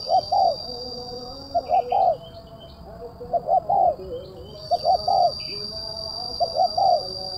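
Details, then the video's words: Spotted dove in kuk 1 style with a sharp, crisp, closely packed voice, 2024: four repeated phrases of two clipped notes and a falling coo, about every one and a half seconds, with constant electronic tones and faint chirps. "DI JAMIN TURUN, TEKUKUR SUARA MERSIK TAJAM,RAPAT //KUK 1//THN 2024"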